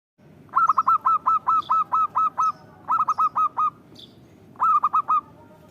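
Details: Zebra dove singing in Indonesia: three bursts of quick, ringing cooing notes, the first a long run of about ten evenly spaced notes and later runs of five, over steady low background hum.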